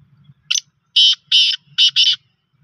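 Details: Rasping phrase from a black francolin: a quick clipped note, a pause, then four loud grating buzzy notes paired two and two, ending abruptly. Faint low rumble between notes.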